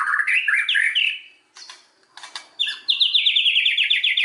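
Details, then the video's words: Song of a white-rumped shama played as a lure to provoke rival singing: tumbling warbled phrases, a brief gap with scratchy notes, then a rapid rhythmic chatter of repeated high notes. "SUARA BURUNG MURAI BATU, PANCINGAN MURAI BATU BANGKITKAN EMOSI, AGAR BONGKAR MATERI"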